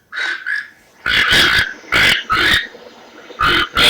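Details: Toco toucan recording played back through a small phone speaker: harsh, rasping croaks in short bursts, about five in under four seconds.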